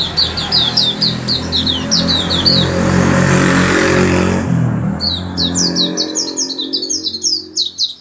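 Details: Oriental white-eye from Yogyakarta singing a chatty, distinctive song: rapid series of high, thin rising and falling twitters, broken in the middle by a burst of loud broadband noise like a passing vehicle, then the high twittering resumes.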